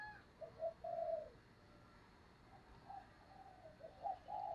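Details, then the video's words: Distant, quiet cooing of a decoy spotted dove meant to attract wild birds. Low hooted notes and a drawn-out coo rise just above a steady hiss of background noise. "Tiếng Chim Cu Mồi Thúc Gù/ chim cu gáy kích bổi/ mở là gáy"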